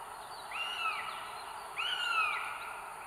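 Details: Northern goshawk mother on a nest holding three eggs, North Estonia, 30 April 2022, live nest camera: two plaintive, slightly rising-then-falling wails, each about half a second, over a constant hiss.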